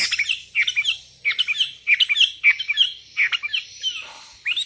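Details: Several sooty-headed bulbuls, one calling rivals and wild birds answering, produce a continuous rapid chatter of squeaky, bouncing notes with almost no pauses.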